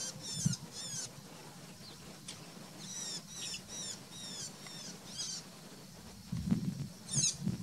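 Isabelline shrike giving short, high, sharp notes in quick clusters every couple of seconds, over low rumbling thumps and background noise.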